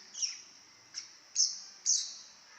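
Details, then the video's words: A very chatty baby lovebird gives four short, high, shrill calls spaced about half a second apart, each a sharp onset that fades into a thin whistle-like tail. "Baby love bird bawel banget"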